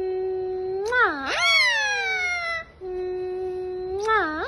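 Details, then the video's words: Indian green ringneck parrot talking: rich, harmonic, voice-like tones with swooping pitch bends, a held tone breaking into a rising-then-falling glide, repeated after a short pause. "Parrots Talking"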